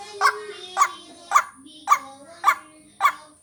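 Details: Short run of a white-breasted waterhen lure call for vocal training: six rough, punchy notes roughly every half second. A low gliding whistle sits beneath, with a steady high whine.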